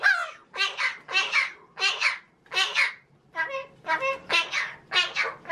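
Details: A male pet magpie talking, imitating human speech in a cheeky mood: a quick string of about ten babbled, speech-like syllables, roughly two each second, slightly raspy and voice-like, in a quiet indoor setting.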